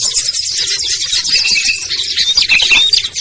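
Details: Lure recording of small birds such as ciblek, kutilang, trucuk, sogon and perenjak, used to bring birds down: busy overlapping chatter, with several short, clear whistled notes cutting through toward the end.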